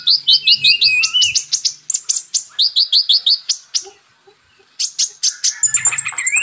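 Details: Purple-throated sunbird (kolibri ninja) song mixed with magpie robin song for training caged birds: rapid high chip series and a short trill, a brief pause, then more chips and a thin high trill.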